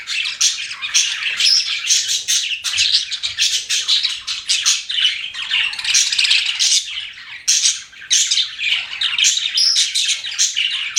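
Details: Pet budgerigars chirp and warble nonstop, a dense, scratchy chatter with occasional higher whistled notes over the busy flock noise.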